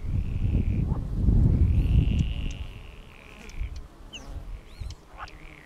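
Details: Disturbed northern lapwings took flight from a meadow as people approached and circled overhead crying. Long, drawn-out wheezy calls slur up and level off, followed by shorter sharp notes, over heavy wind rumble.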